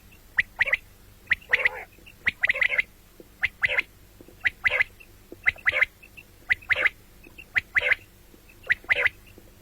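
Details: Common quail calling morning and night: crisp, high, sharp notes in quick triplets, repeated roughly every second across the recording, with a few harsher buzzy notes among them.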